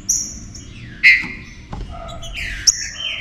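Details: Short excerpt of green-winged saltator enfemado song, intended to warm up other saltators: a high whistle, a loud downward-slurred note, then a rising whistle and another sharp high note after a brief pause.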